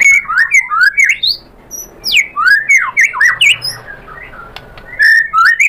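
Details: White-rumped shama singing vigorously after being provoked, answering and showing off its learned song material: loud rising and falling whistles and harsh slurred notes in quick bursts, with a short quiet pause midway.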